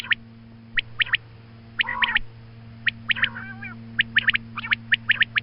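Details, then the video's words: Morning calling of a female quail, used for hunting: crisp high clipped notes in doubled and tripled groups, a brief nasal rasping call midway, steady low hum throughout. "Female Quail Calling Suba Lagty waqte Ki Awaz Female Batair Calling"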